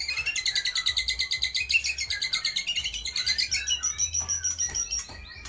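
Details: White-rumped shama in full song copying lovebird, kapas tembak and pijantung gunung: a long, dense, high trill of rapidly pulsed notes, about three per second, ending in thinner high whistles.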